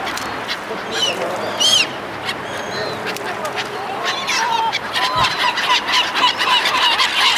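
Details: Gulls being fed by people give harsh, honking squawks and clear rising cries over a steady background of many more birds calling at once.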